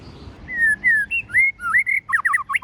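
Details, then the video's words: Forest-voice singing by a white-rumped shama, used to stir young birds: long smooth whistled slurs, each a little different, then quicker bouncing whistled notes near the end. "chòe lửa hót giọng rừng kích bổi"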